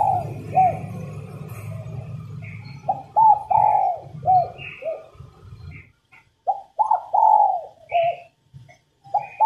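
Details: Female spotted dove calling to stimulate males into song. Several rhythmic coo phrases of short notes, each around one long mellow coo. A low rumble runs under the first half, and faint chirps are heard.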